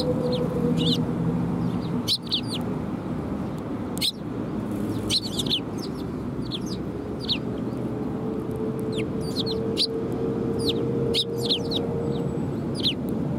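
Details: Sparrows coming to be fed at Tenmangu shrine on 18 December 2020: short, high, sharp chirps in scattered bursts throughout, over a steady low hum and background rumble, with a faint sustained tone in the middle.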